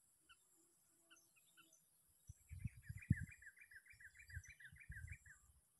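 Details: Sooty-headed bulbul, a bird caught by luring and on its sixth day; a few faint scattered chirps, then a quick run of about a dozen chattering notes over three seconds, over low thumping and rustling noise.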